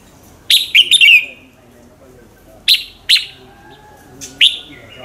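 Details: Red-whiskered bulbul singing in the morning, a lure recording for training and stimulating bulbuls to sing: a burst of loud, sharp, descending whistled notes in quick succession, then three short separated chirps over faint background hiss.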